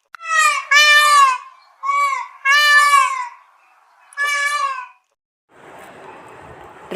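A peacock gives loud, nasal, wailing cries in paired bursts, a short note then a longer one. A soft hiss follows once the calls stop.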